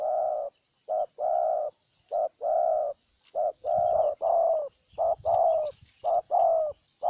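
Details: In Ninh Thuận, Vietnam, a spotted dove used as a decoy to attract a wild dove gives steady cooing: short note, then long hollow note. About six pairs, with faint higher chirps in the background.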